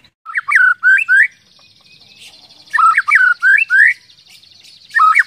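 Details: White-rumped shama singing to stir other shamas: three loud bursts of rich, swooping whistled notes, each burst of four or five notes, with faint twittering in the gaps.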